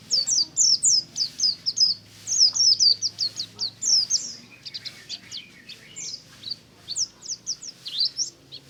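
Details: Lively morning ngalas of pleci buxtomi white-eyes: dense, rapid volleys of high, twittering downslurred chirps, later mixed with more distant overlapping twitters, suggesting several birds singing together.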